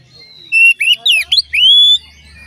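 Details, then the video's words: Oriental magpie-robin song played to stir other magpie-robins into singing, a short bright phrase of clear whistles and quick up-and-down slurs ending in one long rising note, with a low hum behind. "dijamin Kacer lain ikut bunyi"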